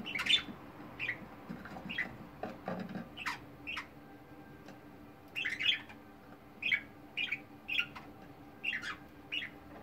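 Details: Pet budgerigars kept indoors, one described as the group's clown: a run of short, bright chirps and squawks repeated about every half second, with soft chattering and a steady low hum behind.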